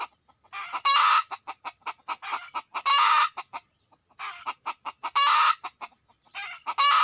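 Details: Red junglefowl drawn in with a decoy: fast repeated clucking ticks rising into loud, harsh, rasping cackles, about four bouts, with a brief pause midway.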